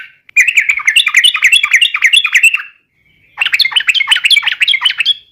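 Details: Yellow-vented bulbul giving a provoking fighting song: an extended, excited run of bubbly warbled chatter, a short break, then another energetic stream of varied notes.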